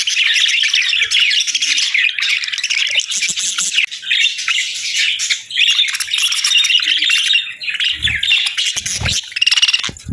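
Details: A flock of parakeets enjoying warm meals on a winter morning, keeping up a loud, continuous warbling chatter of high chirps and squawks, with a couple of brief knocks near the end.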